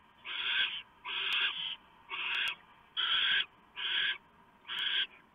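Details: Barn owl owlets in a nest box at night as the male delivers a huge mouse, 3 November 2015; loud raspy screeching hisses, each about half a second, repeated roughly once a second in a steady series.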